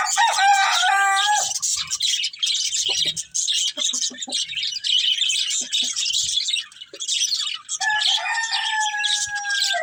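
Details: Budgies at their green food fill the air with busy, unbroken twittering and squeaky chirps; a longer harmonic crowing note is heard at the start and again near the end.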